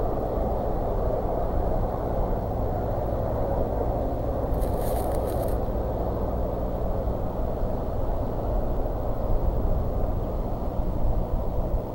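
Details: Steady low rumble like wind or distant traffic outdoors, with one brief scraping burst around the middle and no animal calls.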